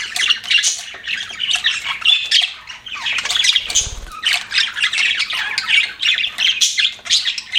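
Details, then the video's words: Several pet budgerigars keep up a steady stream of high, grating chirps and squawks in rapid bursts, with a faint low rumble for a moment partway through. "BUDGIES CHIRPING SOUND"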